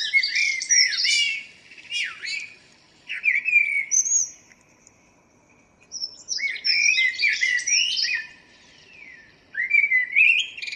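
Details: Morning song of a local common blackbird, dated 02/04/2013. Four phrases come in quick succession, each mellow whistled notes running into bright, scratchy high flourishes, with short silent gaps.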